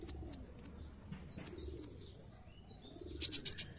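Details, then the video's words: Brown-throated sunbird song used as a lure to prompt other birds to sing: several thin, high, downslurred chirps spaced apart, then a quick burst of four sharp high notes at the end, over faint low background hum. "Pancingan Kolibri Ninja"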